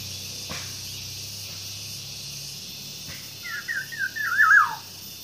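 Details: Nine-day-old green pigeon nestling being hand-fed indoors, three feeds a day and given banana; one thin, wavering squeaky call, rising and falling quickly, about a second long, over a steady high hiss.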